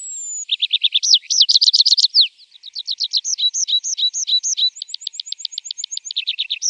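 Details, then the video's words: Javan bush lark song serving as training material for caged birds: a thin high whistle, then varied bursts of rapid chirps, sharp clicks and a fast high ticking trill, all very high-pitched. "Masteran Branjangan!!"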